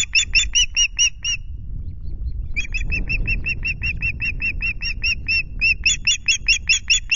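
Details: Osprey calling at its Loch Garten nest among chicks on 5 July, the male arriving with two fish: quick bursts of piercing whistled chirps, a pause of about a second, then a long steady run of repeated notes over low rumble.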